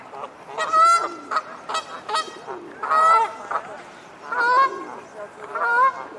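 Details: Great Crested Grebes on the Serpentine during a territorial faceoff between two pairs at a boundary corner near an island. Loud, harsh, honking calls come in bursts, some drawn out and nasal, separated by short pauses.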